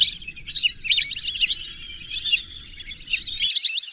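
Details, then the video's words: Steady chorus of high, twittering whistles from whistling ducks, notes bending up and down and running together, ending with a clearer rising whistled phrase. "whistling dack call/sound /বালি হাসের ডাক/শরালী পাখির ডাক"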